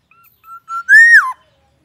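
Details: Caged black-naped oriole, kept in daily care and sunned in the morning, gives a clear fluty whistle: two short level notes, then a louder, longer note that rises slightly and drops away at the end. Background is silent.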